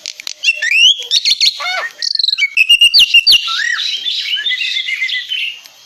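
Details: Black-winged myna song, a lively varied stream of whistled rising and falling notes, sharp chirps and rapid repeated trills, loud and close throughout.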